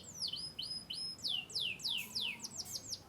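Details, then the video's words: Canary, said to descend from Yorkshire stock from Turkey and the US, chirping with quick high whistled notes that sweep steeply downward, repeated about three times a second over a soft low background hum. "chirping birds.Canary bird."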